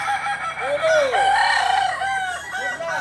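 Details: Kokok Balenggek rooster crowing at a practice gathering in Ampang Kualo, Kota Solok: a sustained crow built from a chain of arched, up-and-down syllables, with other roosters faintly overlapping behind.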